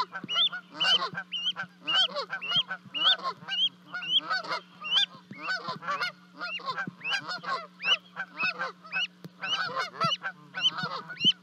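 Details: Two goslings call after leaping from a 30-foot-high nest in Charlo, Montana, to rejoin their parents, 12 May 2020, livecam recording. Dense, continuous bright upslurred peeps sound over a rough chatter of lower notes and a low drone.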